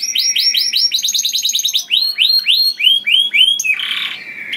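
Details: Canary song, loud and melodious, used to lure other canaries: rapid trills of repeated downward-swept notes, speeding up, then slower looping whistled phrases and a brief harsh buzzy burst near the end.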